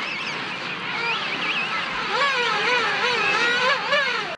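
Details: A dense chorus from a large king penguin colony on South Georgia: many warbling, wavering trumpet-like calls overlap continuously, rising and falling in pitch with no pauses.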